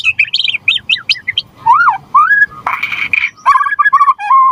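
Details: White-rumped shama song meant to set other birds singing: quick high chirps, then rich slurred whistles and a harsh buzzy burst before lower repeated whistled phrases.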